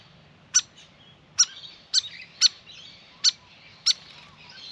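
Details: Six loud, abrupt high chip notes, about one every second, from a Grey fantail fluffing up after a long bath, with soft background twitter.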